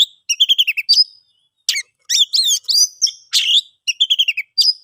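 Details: Oriental magpie-robin song used to make silent birds sing: rapid staccato note series alternating with swooping whistles and chirps, lively and nearly continuous.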